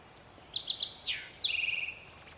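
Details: Male Eastern towhee singing its "drink your tea" song: a clear high whistled note, a short downward-slurred note, then a lower buzzy trill, over a steady hiss of background noise.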